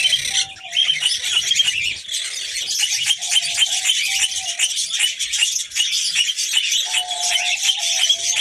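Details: Kakariki (red-crowned parakeet) female signalling readiness to mate: rapid rattling chatter pulses, high and harsh, overlaid by several short, level low whistles, a longer one near the seventh second.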